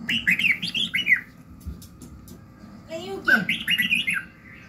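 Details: Red-whiskered bulbul singing in the morning, used as voice training to fire up birds: bright, bubbly warbled phrases in quick bursts, a pause, then a lower sliding note leading into another rapid run of chirpy notes.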